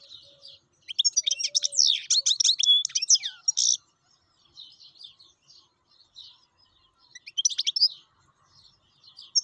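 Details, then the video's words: Wild European goldfinch singing actively. A dense, fast run of tinkling, jumbled high notes lasts about three seconds, followed by quieter scattered chirps and a second short twittering burst. "حسون بري شغال"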